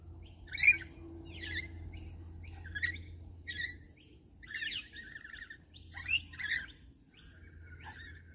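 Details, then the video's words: Rainbow lorikeets at routine feeding time give harsh, buzzy screeches and chattering chirps in short clusters, several birds together over a constant low mechanical hum. "Daily routine feeding Rainbow Lorikeets"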